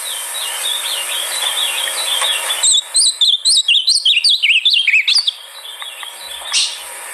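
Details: Song of an ultramarine grosbeak used to coax a caged bird into singing: soft twittering at first, then a quick run of loud, high, up-and-down warbled notes, ending in a few faint chips.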